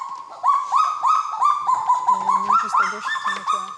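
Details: Kagu in the forests of New Caledonia, a family singing together to mark its territory; the male leads with a long phrase of about twelve syllables, the female joining shortly. Clear, slightly rising whistled notes near one pitch, repeated quickly, with lower overlapping notes.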